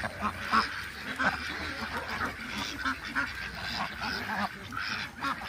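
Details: Farm ducks in Nepal calling together: rough, buzzy quacks tumbling over one another in quick irregular bursts, several louder calls standing out every second or so above the busy flock chatter.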